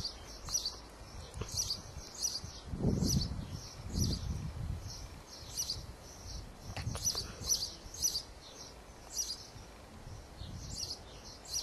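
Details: Sparrow singing pleasantly: a steady series of short, high chirps repeated every half second or so, with low rumbling background noise and a few soft thumps.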